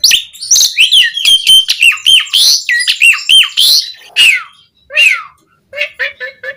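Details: Asian pied starling song used for training captive birds, varied and full of mimicked phrases: loud, dense run of whistles, squawks and chattering notes, then a few short repeated upslurred notes near the end.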